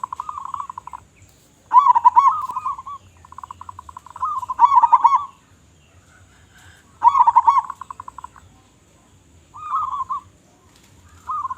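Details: Local zebra dove with a loud, big voice, recorded as a lure for other doves: repeated bouts of fast, stuttering coo notes with a rolling emphasis, five phrases separated by short silences.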